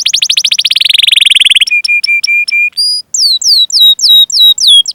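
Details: Canary tutor song used to lure and train young, untrained or silent canaries into singing: a fast, buzzy trill sliding downward, then a run of short level whistles and a series of sharp, falling chirps, all high-pitched, with no background sounds.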